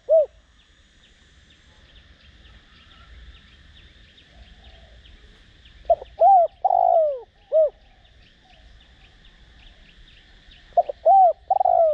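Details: Spotted dove used as a decoy to provoke other doves into cooing, in the 'Đồng Rặc' voice style. A short mellow note opens, then a loud three-part coo phrase near six seconds and another at the end, over steady faint insect chirping and low rumble.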